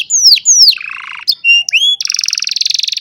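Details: Old canary singing on a sunny morning, filmed with a cellphone: two loud falling whistles, a buzzy low rattle, short pure notes and a rising slur, then a fast high trill.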